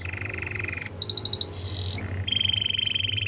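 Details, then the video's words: Canary training song: a steady buzzy roll, a high pulsed trill, a lower rattle and a final rapid vibrating tour, each segment lasting under a second. "The most powerful canary training song"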